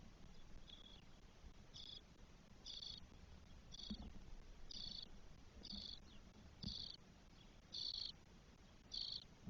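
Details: Nestling spotless starlings, four chicks on day 12 in their nest in Spain, 1 June 2022, give short grating buzzes roughly every second. A faint low hum runs underneath.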